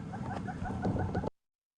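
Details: Hornbills calling on a September afternoon game drive in South Africa's Sabi Sands give a quick run of low, hollow clucking notes ("kuruk, kuruk"), several per second, cut off abruptly after about a second, amid wind.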